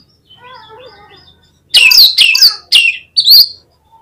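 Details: Oriental magpie-robin (kacer) delivers four harsh, explosive high bursts with sweeping slurs, spaced unevenly. Faint soft warbling notes come before them.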